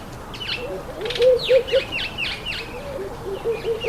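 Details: Speckled mousebirds feeding on an apple, giving a run of short, downward-sweeping chirps repeated about every quarter second, with a softer low warbling note running beneath them.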